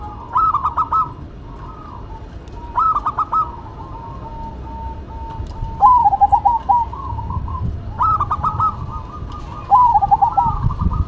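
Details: Duet between a local and a cemani zebra dove: bursts of stuttering, purring coos recur about every two to three seconds, each followed by a drawn-out soft trill, the two birds alternating over a steady low hum.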